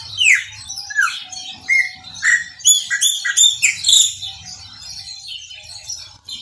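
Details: Loud, varied chopi blackbird song in the maranhãozinho style: descending slurred whistles and squeaky, buzzy notes in quick succession, tapering off after about four seconds, with a soft low hum in the background.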